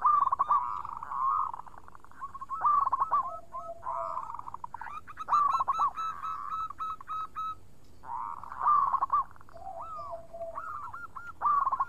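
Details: Local zebra dove in persistent, clear-voiced song, several cooing phrases of rapid warbled notes alternating with runs of evenly spaced ringing notes and a lower voice cooing beneath.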